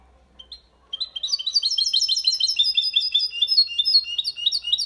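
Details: Goldfinch-canary hybrid giving its clean 'copia malaga' song, played to stimulate females and teach young birds; a short pause, then dense, high, metallic twittering notes tumbling rapidly and continuously, with faint low background hum.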